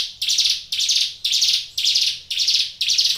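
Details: Prinia known as ciblek gunung, kept and cared for as a songbird, repeats six loud, grating buzzes at an even pace of about two per second.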